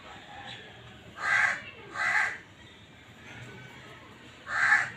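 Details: Black francolin breeding call with two coarse, buzzy notes close together, a long gap with faint notes, then a single loud note near the end.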